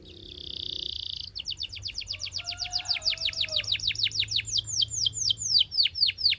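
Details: Belgian canary singing beautifully: a steady high whistled note held for a second, then a long rolling run of quick downslurred notes that grows steadily louder and speeds into a rapid high trill.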